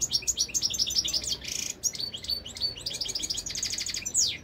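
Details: Continuous bright, jingling song from a European goldfinch: fast twittered high notes, buzzy trills and repeated chirps, ending with a sharp downslurred note.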